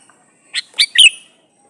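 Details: A single phrase from a male sooty-headed bulbul calling to a female. Three quick, bright chirps build to a loud, downward-slurring final note. The recording is meant to draw in and provoke replies from bulbuls.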